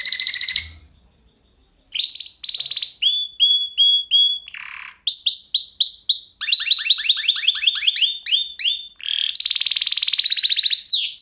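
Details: Singing lesson for canaries, a canary performing: a short opening note and a pause, then varied tours of clipped repeated chirps, a brief low buzzy roll, fast rattling trills and sweeping rising-falling notes, loud and unbroken to the end.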